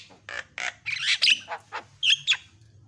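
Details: Javan myna in varied song meant to train and provoke other birds: a short series of hoarse, nasal squawks and grating notes, roughly three per second, ending with a shrill squeak.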